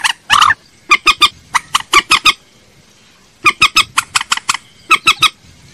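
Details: Common moorhen lure call: one loud rasping squawk opens, followed by two spaced series of short, hard clucking notes repeated several times a second, with a quiet pause between the series.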